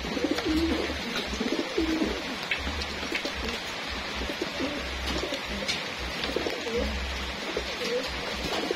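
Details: Homing pigeons kept for racing, at feeding time in their loft, give low soft coos that are partly masked by a steady low hum and scattered clatter.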